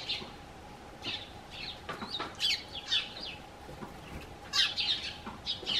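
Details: Garden Eurasian tree sparrows hopping onto a bench and calling to greet their human friend; clear, sharp chirps and twittering notes sound in quick clusters, with a low steady hum in the background.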